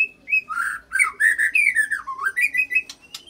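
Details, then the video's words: Loud white-rumped shama song, with borrowed cililin and canary phrases, sung to provoke rival fighter shamas: a fast run of rich whistled notes swooping up and down, then a sharp click and a rising whistle. "Bongkar Isian Murai Isian Cililin Sambung Kenari Ngerol Panjang"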